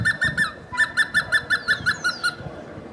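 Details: Hemprich's hornbill in Dessie, Ethiopia, giving a rapid run of squeaky clucks: a brief burst, a pause, then about a dozen evenly spaced notes that fade out, with a thin whistle overhead.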